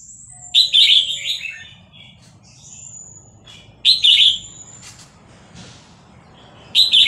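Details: Caged Vietnamese red-whiskered bulbul, responding to played sounds of hatched chicks, repeats bright warbled phrases every few seconds, mixed with thin, high, level whistles and light background noise.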